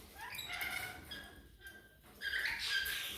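Parakeet chatter: bright, squeaky warbles and harmonic notes in two bursts, separated by a brief lull.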